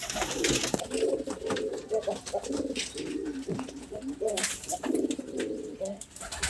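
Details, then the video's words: Pigeons cooing indoors in low, throaty, rolling phrases that overlap and repeat every second or so, with soft clicks and shuffling. "Pigeon Chirping Sounds | Natural Pigeon Sounds | Pigeon Calling Sounds"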